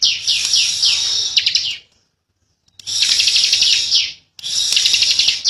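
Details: Indonesian bar-winged prinia in 'ngebren' singing style: shrill, rasping trills of fast repeated notes. Three bursts are separated by a silent gap of almost a second and a shorter pause.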